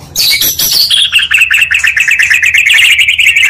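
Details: Two Oriental magpie-robin voices mixed as a lure to raise rival birds' emotions: a high buzzy opening burst, then a long steady trill of fast repeated notes.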